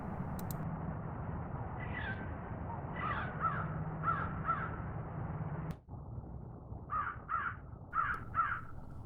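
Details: A crow in Hartsville, South Carolina, gives its unusual "pretty" call, always repeated twice with whole-body effort, like "oh where, oh where" or "I'm here, I'm here": short harsh cawing clusters, then paired calls, over low background rumble.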